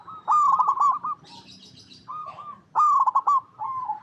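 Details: Zebra dove of local stock, a lively singer recorded in its natural habitat as a lure for other perkutut; a clipped, pulsing coo phrase, a softer murmured pause with faint background hiss, then another stuttering coo.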